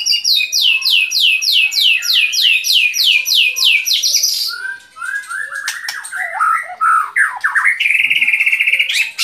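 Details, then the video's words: White-rumped shama song opening with about a dozen rapid, identical high notes, each sliding downward, followed by mixed chattering phrases and a long, level, high whistle at the end. "Relaksasi suara Burung Murai Batu"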